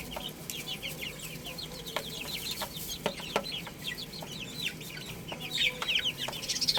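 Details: Chicks busy playing and feeding give rapid strings of thin, high, descending cheeps, many birds calling over each other, with occasional clicks and taps.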